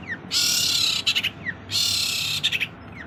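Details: Long-tailed shrike singing a showy isian filler song, with two drawn-out harsh grating rasps, each about half a second long and followed by rapid clipped notes, and a faint falling whistle between them.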